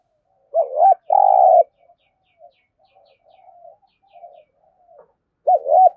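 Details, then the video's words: Spotted dove in Đồng Nai, Vietnam, giving competition cooing in the thổ voice style: a quick double note followed by a long steady coo, soft murmuring between, then another double note near the end. "cu gáy thúc gù kinh thiên động địa vang cả xóm Đồng Nai, cu gáy gù đấu"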